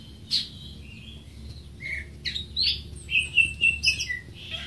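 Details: Scattered greater green leafbird notes: sharp chips and slurred whistles, building to a quick series of squeaky, high calls near the end.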